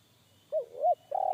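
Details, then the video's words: Wild spotted dove of the deep-voiced one-kuk type in forest, whose sound made a young decoy bird shy away. Two short bending coos, then the start of a long rolling coo, cut off abruptly. "SUARA TEKUKUR INI‼️SUARA BESAR NGEBASS"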